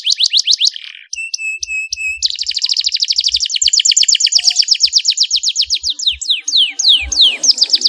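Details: Canary song meant to spur other canaries to sing: quick trilled notes, a few repeated whistles over a held tone, then a long rapid rolling trill ending in slower downslurred notes, with faint low taps.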